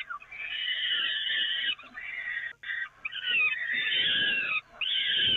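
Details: Peregrine falcon chicks fed at the Evoluon nest grating on 13 May 2018: drawn-out grating, wheezy cries running almost without pause, broken by two brief gaps.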